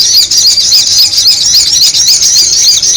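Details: Sogon bird call from a lure recording: sharp, squeaky up-and-down notes repeated rapidly and fairly evenly, about four a second, over a constant high chattering background.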